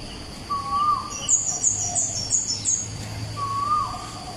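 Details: Asian koel (Eudynamys scolopaceus) song at Bukit Batok East opposite Bukit Batok nature park, 14 September 2021: two loud, rising whistled notes about three seconds apart, with other birds such as sunbirds twittering behind and a steady background hiss.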